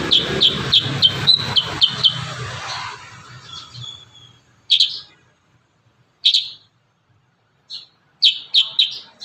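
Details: Kurincang in lively song for training other birds: a fast run of high chirps over low rumbling, then isolated bright notes spaced a second or more apart in near silence, ending with a quick cluster of chirps.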